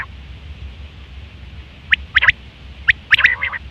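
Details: Quail calling in September 2023, a sound used for hunting and mating: two quick groups of sharp, high clicky notes, each burst of two or three notes, after a quiet start over low background hum.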